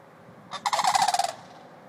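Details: Two adult sandhill cranes at White Bear Lake, Minnesota: one brief, rolling, trumpeting rattle, a rapid burst of throaty pulses lasting under a second, against a quiet background.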